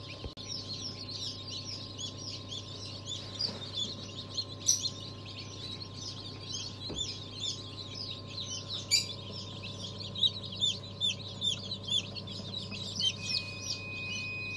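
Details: Many newly hatched chicks, a December 2022 hatch including Habeş, Ottoman Sultan, İspenç, Ayam Cemani and Fizan breeds. Constant chorus of shrill, high, slightly falling peeps with louder bursts every second or so, over a faint low hum and a few knocks.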